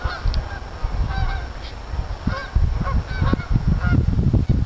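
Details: A flock of geese gives repeated nasal honks, several overlapping in quick succession, over a steady low rumble like wind.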